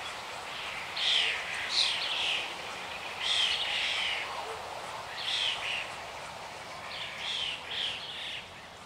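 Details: Red-naped ibis on the plains of the Indian Subcontinent, recorded 18 March 2024, giving harsh, nasal screeches in short clusters of two or three, repeated every couple of seconds over a steady background hiss.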